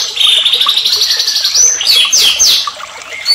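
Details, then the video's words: White-rumped shama in agitated song: a long, even high whistle, then quick sweeping notes that slide up and down, closing with a rising whistle. "AMPUH PANCINGAN MURAI BATU EMOSI EFEKTIF bikin MURAI langsung GACOR"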